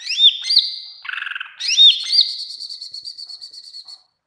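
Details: Greater green leafbird singing vigorously, as training material to provoke other leafbirds to answer: high looping whistled notes, a lower rattling trill, then another rising whistle that runs into a long, even, rapid high-pitched trill.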